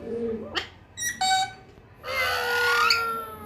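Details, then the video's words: Parrot making a quick sequence of short, harmonic squawks, then a long, strained, downward-sliding call with a raspy edge. "funny parrot 🦜 😄 beautiful mitthu sounds"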